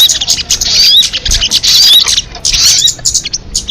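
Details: A crested jay, from an MP3 billed as the most effective call, gives rough, noisy high-pitched bursts with faint upslurred whistles, in three main clusters separated by short pauses.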